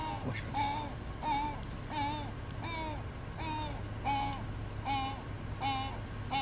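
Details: Southern ground hornbill (Bucorvus leadbeateri) in Africa giving short, nasal, hooting notes repeated steadily about every three-quarters of a second over a constant low rumble.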